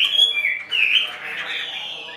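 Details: Brief burst from a caged Chinese hwamei on the left: a couple of clear whistled notes dropping in pitch, followed by a softer sustained warble.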